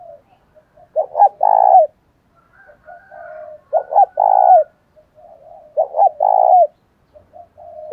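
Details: Spotted dove used as a decoy, cooing to lure wild doves; three repeated phrases of stuttering low notes leading into a long husky coo, about every two and a half seconds, with soft murmurs between.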